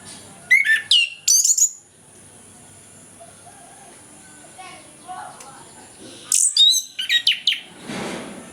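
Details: Orange-headed thrush giving its full, loud ngeplong morning song, played as a lure for lazy birds: two bursts of sharp, high whistled and rattling notes, a quiet gap with faint soft notes, then another burst of rapid varied phrases.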